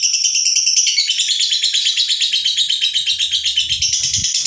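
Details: A lovebird ngekek, coarse and slow to stop, diesel-like: a sustained shrill chattering trill of quick pulses that dips slightly in pitch after the first second, with faint thumps late on.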